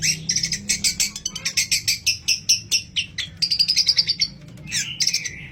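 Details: Long-tailed shrike singing a busy mimicry repertoire, including fighting-sparrow sounds, as a lure to spur other shrikes into song. Rapid high chips are steadily repeated, then a buzzy trill and a short whistled phrase follow.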